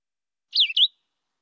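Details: Philadelphia vireo (Vireo philadelphicus), a less common migrant in DuPage County, giving its song: one brief, high, slurred phrase, a falling whistle then a short rising-then-falling note, against silence.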